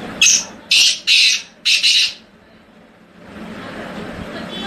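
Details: Tamed wild black francolin from Hangu, Khyber Pakhtunkhwa, Pakistan, giving a quick series of five harsh, grating notes in about two seconds, then falling quiet over a low background hiss.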